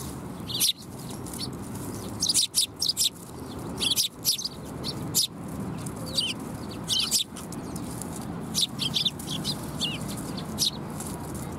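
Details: Sparrows come for food at a Tenmangu shrine, 7 January 2021: irregular groups of sharp, high chirps repeat every second or two across the recording above a constant low background noise.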